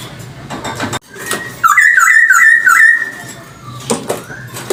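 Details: Chinese hwamei lure song: after faint background knocks, a brief quick series of about five rolling whistled notes, then a trailing softer whistle and quiet room sounds.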